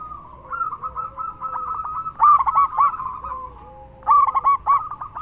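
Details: Frequently singing local zebra dove, a strong-voiced lure bird: steady rolling coos build into two loud stuttering bursts of bright notes, while a softer, lower drawn-out coo runs underneath.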